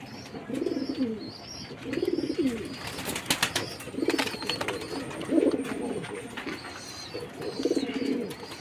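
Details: Jacobin pigeons cooing in bouts about every one and a half seconds, each a low throaty rolling coo, with a few high chirps from other birds and brief clattering noises.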